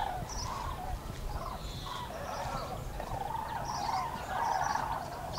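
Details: A flock of common cranes over the Eifel in Germany on 6 March 2018 keeps up a continuous chorus of rolling, trumpeting calls, louder toward the end.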